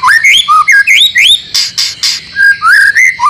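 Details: White-rumped shama training song for caged birds, meant to prompt them into constant singing: loud, clear whistled phrases, each rising or dipping in pitch, given in quick succession, with a few harsher buzzy notes in the middle.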